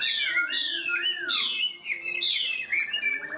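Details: High-register song of a caged Chinese hwamei that starts quickly and sings steadily. It pours out loud, clear whistles that bend up and down in long, flowing phrases, with a few short gaps.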